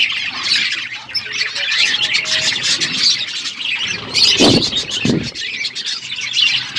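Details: Parrot eating food, recorded February 25, 2024: dense, overlapping high chirps and tweets throughout, with two short low thumps near the middle and faint background rumble.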